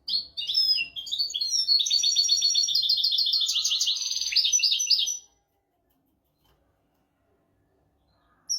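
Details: European goldfinch tutor song meant for teaching goldfinches and canaries: a dense, fast twittering run of high tinkling notes and buzzy trills lasting about five seconds, then silence until a brief note at the very end.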